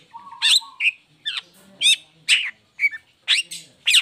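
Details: Caged long-tailed shrike singing once its cover is lifted, a lure recording for lazy or moulting shrikes: steady string of raspy, buzzy high notes roughly every half second, with one low, flat tone near the start.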